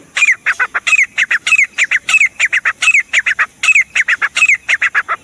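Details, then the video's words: Grey francolin, locally called teetar, calling loudly: harsh, squawky notes in quick clusters of two to four, each group rising and falling, repeated steadily for several seconds against a quiet background. "The Sound Of The Pheasant Bird teetar bird"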